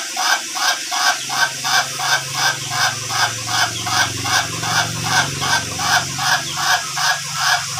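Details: Ayam Ketawa (laughing chicken), long-duration type, trained to stretch its crow toward three minutes: regular, rasping laugh-like syllables repeated about every half second, over a low steady hum.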